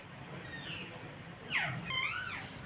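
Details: A parrot gives two harsh, harmonic squawks, one sharply falling and one rising then falling, after a faint, thin whine earlier; a low hum underneath.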